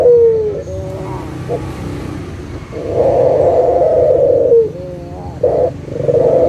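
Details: Local Barbary dove coos serving as a lure for silent doves: a falling slur, a pause, then one long low rolling coo and a short following note over a background hum.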